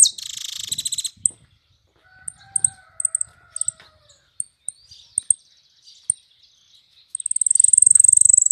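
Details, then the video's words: Yellow canary singing in the sun: scattered sharp high chirps and short trills, a faint lower whistled note near the middle, ending in a loud, fast, very high buzzy trill. "Jilguero amarillo cantando en el sol"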